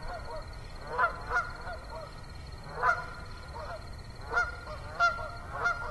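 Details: Evening honking of geese at Assabet River National Wildlife Refuge, 6 October 2014, in autumn: irregular single and paired honks with a continuous high-pitched katydid-like buzz throughout.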